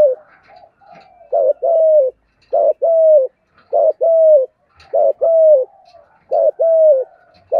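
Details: Spotted dove cooing in the local 'giọng thổ' style, used to train captive doves and lure wild ones: low, mellow coo phrases repeated about six times, each a short note followed by longer, level and downward-sliding coos.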